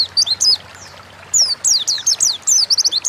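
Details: Oriental white-eye kept in a cage in Indonesia, singing high, sweet, sliding whistles in two short bursts separated by a pause of about a second.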